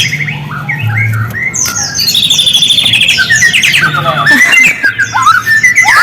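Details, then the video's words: White-rumped shama song used as a lure to stir silent birds into singing: soft opening notes build into a loud, rich mix of whistles, rattles and rising slurs, with background hum. "Murai diam langsung merespon suara burung ini, pancingan murai batu"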